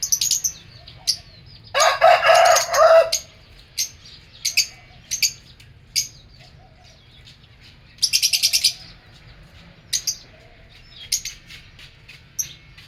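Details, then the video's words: Caged lovebirds in an aviary: sharp isolated high chirps every second or so, broken by two loud buzzy chattering bursts about a second long, over a low steady hum. "Lovebird Singing & Chirping Sounds | love birds sounds"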